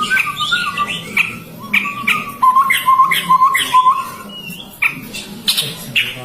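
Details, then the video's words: A chestnut-rumped babbler repeats short, low, evenly pitched whistles in a quick run, while sharp higher chirps and squeaky notes sound around it. "SUARA BURUNG TEPUS TUNGGIR MERAH"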